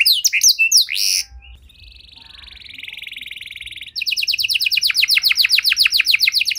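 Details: Canary song with special phrasing meant to rouse quiet canaries: fast sweeping notes, a softer drawn-out buzzy trill, then a loud run of rapid repeated chirps.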